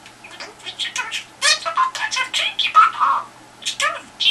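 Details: Domestic budgerigar chattering at a telephone for a response: run of quick harsh syllables and soft squeaks, almost speech-like in rhythm, with short pauses between phrases.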